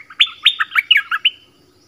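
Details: Decoy song of an orange-headed thrush for attracting wild birds, a quick run of six or seven bright downward-sweeping whistles with a thin sustained tone running beneath them, background otherwise still.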